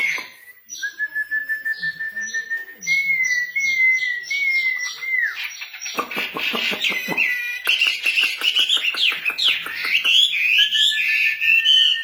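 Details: Female wambi in full, lively song: steady high whistled notes held for several seconds, then a busy stretch of rapid chirps, trills and sweeping twittered phrases repeated about ninety times a minute.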